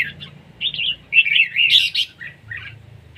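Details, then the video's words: Competition singing by a red-whiskered bulbul: a brief run of clear, rolling warbled notes with one louder, buzzier burst, set against a low background hum. "chào mào đấu siêng ché"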